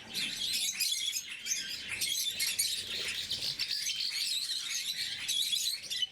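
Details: Morning feeding of caged blue-mutation lovebirds, several birds keeping up continuous high-pitched twittering and sharp squeaky chirps in rapid, overlapping bursts.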